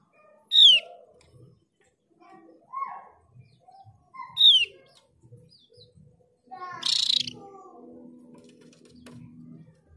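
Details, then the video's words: Mees's white-eye, endemic to Java and Bali, heard as a lure to draw other white-eyes into song: bright descending whistled notes spaced about four seconds apart, a burst of harsher chirping near the end, faint other chirps and low rumble. "Pancingan opior jawa biar gacor dijamin opior jawa bahan dan opior jawa ombyokan pasti nyaut"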